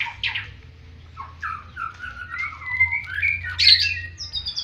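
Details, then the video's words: White-rumped shama song in a fighting style compared to the bar-winged prinia: scattered harsh squawky notes, gliding whistles and a loud burst near the end, with low hum beneath. "Murai batu MR. jarwo.. Gaya tarungnya seperti burung ciblek"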